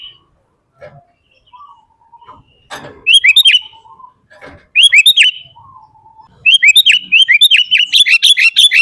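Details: Sooty-headed bulbul in gacor full isian singing, used as a master and lure recording for kutilang: soft low whistles at first, then loud bursts of quick, buzzy, harmonic chirps rising and falling, with a long rapid run near the end.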